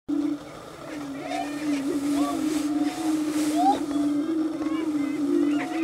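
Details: Prairie chickens on a lek at Bluestem Prairie near Dilworth, Minnesota, during their mating dance: a continuous low, hollow moaning drone from several birds, overlaid with scattered higher whoops and cackles.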